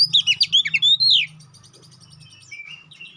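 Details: Oriental magpie-robin song used as a fighting lure: fast, loud burst of sharp slurred whistles followed by quiet trilling chatter and low hum.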